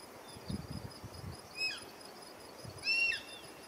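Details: Juvenile Black-and-chestnut Eagle from Ecuador: two thin, high whistled calls, each falling away at the end and spaced over a second apart. The second is louder. Soft low rustling and knocking sounds are in the background.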